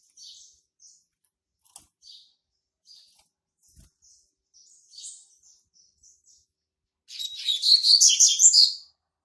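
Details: Territory-marking young male Double-collared Seedeater, hatched March 2019: a series of soft, spaced, high chip notes gives way to a loud, hurried, buzzy twittering phrase lasting roughly two seconds near the end.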